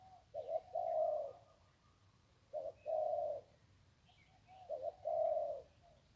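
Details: Wild zebra dove along the Ping River repeats its one-kuk crow three times, each phrase a short low note and a longer vibrating coo, about two seconds apart, over a quiet background with faint distant chirps.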